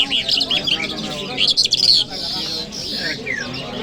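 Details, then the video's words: Kabul city lark on a Friday morning, delivering scratchy high twitters and short trills, a louder chattering burst in the middle, then a clean falling whistle near the end, over soft background noise. "Jal Birds Sounds | Lark Singing | جل مشهدي | طرقه | قزالاق | صدای جل مشهدي"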